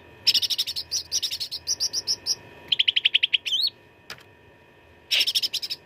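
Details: Cucak ranting fighting song with rich fills, for training contest birds: long runs of rapid, ringing staccato notes in clustered groups, a quick twisting whistled note, one sharp click, then another fast burst.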